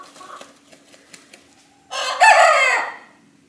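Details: A young Cream Legbar-mix cockerel, 25 weeks old and just grown, tries to crow: one hoarse, rough crow about a second long that breaks and trails downward, after a quiet start with faint ticks and clicks.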